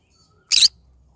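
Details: Single short, rasping squawk from a pet green-cheeked conure of the yellow-sided variety, calling in the morning; otherwise quiet.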